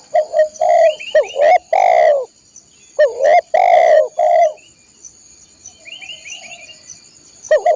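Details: Spotted dove song, played to train caged birds: short clipped coos, then a long drawn coo that dips at the end, repeated twice. A thin steady high whine runs throughout, with faint chirps near the end.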